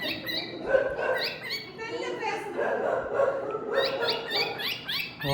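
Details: A hand-tamed pet cockatiel sings a run of warbled whistles with quick rising and falling sweeps.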